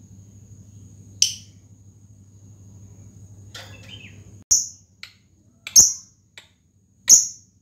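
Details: Fighter-type lovebird giving a long ticking call that summons a rival and lures other lovebirds to sing: sharp, very high chirps at irregular intervals, five in the second half, over a low steady hum.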